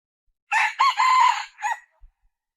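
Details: Red junglefowl uttering one raspy crow: a brief lead note, a rising syllable, a long strained middle and a clipped end, then a faint low knock.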